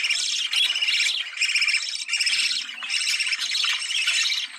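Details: Budgerigar call meant to get birds breeding: strong, steady warbling chatter of buzzy trills and chirps in long runs with short gaps.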